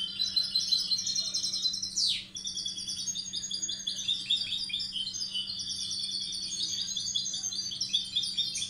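A goldfinch hybrid sings a fast, continuous run of bright twittering notes and tinkling trills, high-pitched and liquid, with a steady low hum behind.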